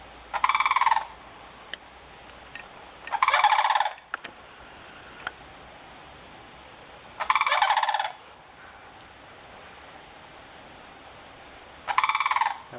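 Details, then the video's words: Sandhill crane pair giving loud trumpeting bugles beside a stand of bamboo in the morning. Four short, rattling, harmonic bursts come a few seconds apart, separated by quiet background with faint clicks. "The 'trumpeting' sound of sandhill cranes"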